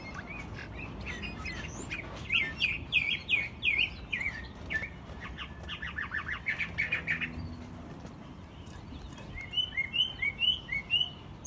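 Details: A pet American robin in Mexico City sings in spring, recorded March 2020 in its second year of song. It gives a run of warbled, caroling phrases in mid-high pitch, pauses, then adds a burst of thin, higher notes.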